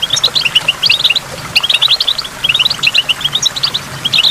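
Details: Goldfinch singing near falling water, short bursts of liquid, bell-like twitters grouped in clusters of several notes, separated by brief pauses, with soft water noise underneath.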